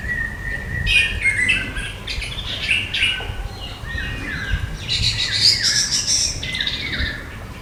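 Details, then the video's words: An orange-headed thrush in India, possibly near Balagarh, gives a rapid, varied run of high, rich whistled and chattering notes that shift in pitch from phrase to phrase, with a faint low background rumble. "Orange-Headed Thrush II Bird Sound"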